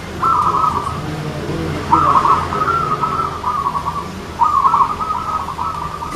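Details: Perkutut (zebra dove) contest song, three vibrating, rolling coo phrases in quick succession with short gaps, the tight spacing favoured for gacoran scoring; low background rumble.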